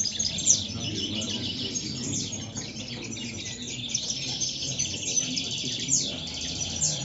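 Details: Several European goldfinches at El Prat de Llobregat, Spain, twittering in high, thin, rapid chirps and tinkling notes that run on almost without pause, over a low, steady background rumble.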